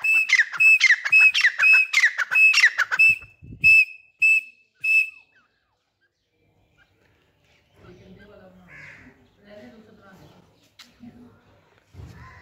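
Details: Hand-tame grey francolin gives a loud, shrill run of ringing whistled notes, about ten in five seconds, then quiet with faint human voices; finding: grey francolin.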